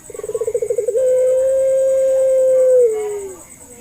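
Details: Single phrase from a puter pelung dove used as a lure for hesitant doves: about a second of fast throbbing pulses, then a smooth sustained coo held for two seconds before gliding lower and fading.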